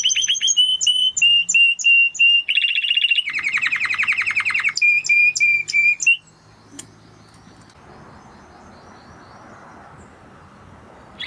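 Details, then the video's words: Spanish Timbrado canary song of steady repeated chip-like notes, then a rapid bubbling roll and more evenly spaced whistled notes for six seconds, followed by quiet room hiss with a faint click. "Canary Sound Effect - Canary Singing Video"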